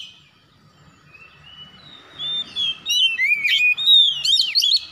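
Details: In the morning a White-rumped shama starts quietly, then breaks into loud, quick whistled notes with sharp upward and downward slides and rasping accents, over faint low background hum.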